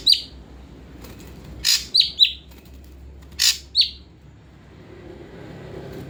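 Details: Caged ashy drongo kept by a bird hobbyist, bathed morning and evening and then aired under a cage cover. A harsh, rasping burst is followed by short, sharp whistled notes that slide downward, given in two clusters with quiet gaps between them.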